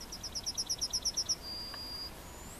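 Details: Yellowhammer (Emberiza citrinella) recorded at Płochocin in July 2013, singing a quick run of about ten thin, high, repeated notes ending in a long drawn-out final note, over a faint steady hiss.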